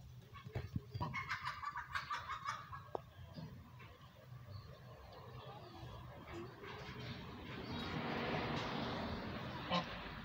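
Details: Goose calling while interacting with its owner, giving a burst of harsh, stacked honks and cackles in the first three seconds, then softer scattered notes over low rumbling background noise.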